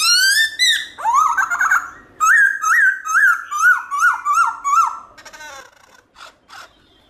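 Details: Wild-style, many-voiced song of a black-throated laughingthrush, loud and clear: a rapid string of about eight repeated rising-falling whistled notes, followed by softer trailing calls.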